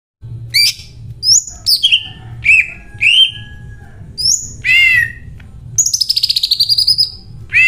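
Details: A greater green leafbird sings loud, varied phrases, including copied cililin song: sharp whistled sweeps, chattering notes and a fast rattling trill, over a faint low hum.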